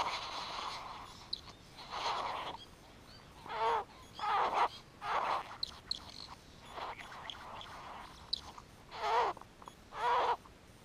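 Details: A male great bowerbird displaying to a female at his bower gives a string of harsh, wheezy, rasping bursts, each about half a second long, with short gaps between them.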